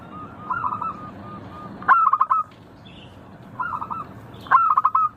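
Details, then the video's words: Zebra dove of local stock singing. Two phrases each open with a crisp stuttering cluster of quick notes and run into even, clipped cooing notes, with quieter coos between them. "Suara burung perkutut lokal Merdu kristal Jernih Ampuh bikin cepat bunyi manggung ngayer"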